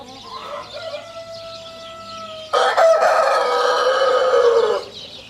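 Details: A distant rooster crows thinly, then a nearby rooster answers with a loud, rough, sustained crow lasting about two seconds that ends abruptly.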